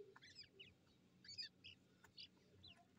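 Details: Several grey francolin chicks, Dahkhni and Irani type, squabble in captivity; short bursts of high, squeaky cheeps separated by brief pauses, plus an occasional sharp click.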